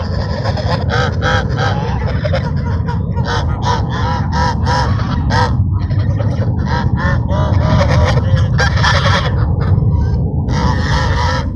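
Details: While being fed at Sunset Park, ducks keep up a stream of short, harmonic, honking quacks in quick succession, partly masked by strong low-pitched rumbling noise throughout.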